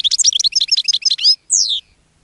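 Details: Caged European goldfinch singing to attract other goldfinches: a rapid run of bright tinkling, twittering notes high in pitch, ending in a long descending buzzy slur.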